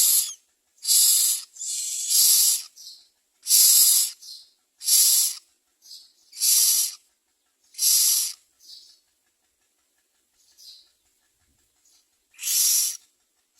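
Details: Myna chicks in the nest beg for food with harsh, hissing rasps, repeated in bursts about every second with short pauses between them. No other clear sounds are heard.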